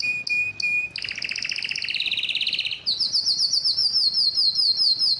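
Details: Canary in mating excitement: three short whistled notes, then a dense rapid double-toned trill, switching to a high continuous rolling trill that runs to the end.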